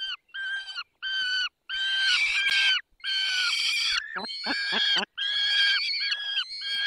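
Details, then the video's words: Feeding-time calls of a peregrine falcon, Barycz Valley, 20 May 2021, 10:22: loud, clear, nasal wails in separate bursts, then a quick run of short, chattering notes before the wailing starts again. "Karmienie 10:22 Dolina Baryczy 20 05 2021 sokół wędrowny"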